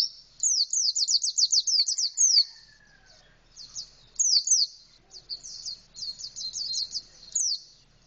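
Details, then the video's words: Indonesian white-eye singing canary-style with beak wide open, delivering a long opening run of quick high downslurred chips, then shorter twittering bursts separated by brief gaps, with faint background noise. "Pleci rasa kenari full buka paruh"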